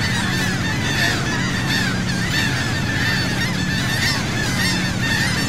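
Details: Flocking seagulls following a sea boat at Saint Martin, Cox's Bazar, Bangladesh, calling nonstop with arched, yelping notes, roughly one and a half per second, layered over a constant engine drone.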